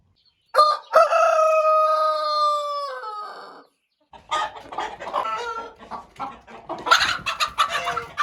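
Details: A rooster gives one long, drawn-out crow lasting nearly three seconds. After a short pause, a busy mix of hen clucks and cackles follows.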